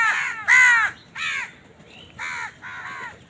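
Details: House crow calling while eating: a rapid run of five harsh, downward-bending caws, the second loudest, with short gaps between.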